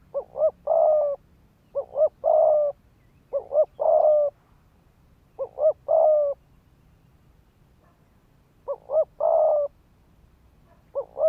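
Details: Spotted dove, a decoy bird calling to provoke males to fight: phrases of two short rising notes then a long steady coo, repeated about every two seconds in bursts, with faint low background rumble.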